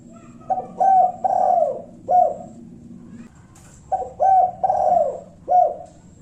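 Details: Spotted dove coo used as a lure to provoke rival birds into calling back: a phrase of four low hollow coos, the third longest, given twice with a pause between.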